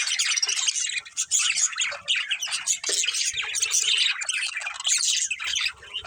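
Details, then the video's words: A breeding pair of budgerigars squawks and chirps without pause, a busy tangle of high scratchy warbles and harsh bursts, fairly loud throughout. "Cute Budgies Chirping Sounds | Love Birds Breeding Pair"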